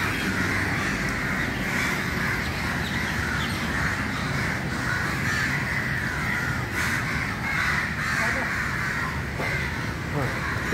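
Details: A large crowded gathering of crows in the early morning: dense, continuous chorus of overlapping harsh caws forming a steady wash of sound, with no single bird standing out.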